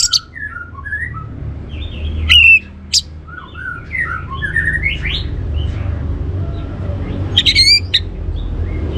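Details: An orange-headed thrush gives a rambling teaser song of short whistled and slurred notes, broken by sharp clicks and a few loud high twitters, meant to encourage other birds to sing, with constant low hum behind.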